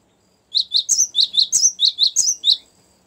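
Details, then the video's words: Rolling song of a cinereous tit, used for luring wild birds and as master song: after a short silence, a brisk series of about eleven sharp, high, double-noted chirps at an even pace. "ngerol panjang sangat bagus untuk pancingan gelatik batu dan masteran"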